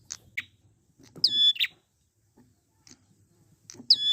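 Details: Wild prinia used as a training lure for caged birds: scattered high chips, then a loud, steady, clear whistled tone ending in a buzzy note, repeated near the end.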